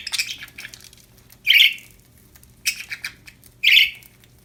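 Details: Happy pet budgerigars chirping: harsh, buzzy squawks in bursts about a second apart, with softer scratchy chatter between them and a faint steady hum in a quiet indoor room.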